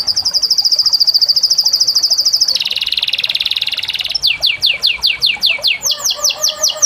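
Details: Canary singing a rapid, even trill of high notes for over two seconds, then a lower buzzy roll, followed by a string of quick descending swooping notes repeated about three times a second.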